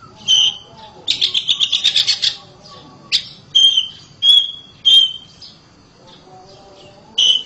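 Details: Oriental magpie-robin kept at home sings loudly: clear whistled notes in short bursts, a scratchy buzzing trill for over a second, then several separate bright whistles spaced about a second apart.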